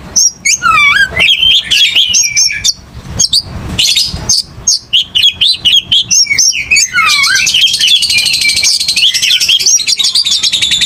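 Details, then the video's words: Aggressive Oriental magpie-robin song: fast varied whistles and downslurred notes, then a dense, buzzy, chattering passage of rapidly repeated notes toward the end. "KICAU KACER TARUNG NGOTOR"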